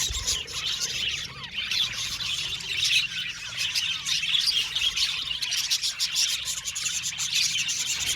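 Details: A colony of budgerigars in an aviary chatters loudly, with rapid overlapping chirps, squawky notes and bursts of clicking from many birds at once.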